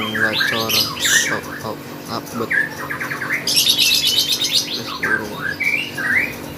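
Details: Lovebird singing loudly at a bird contest: dense, continuous twittering of sharp squeaks, buzzy harmonic chatters and shrill screeches, one especially strong buzzy burst partway through, with other voices faintly beneath.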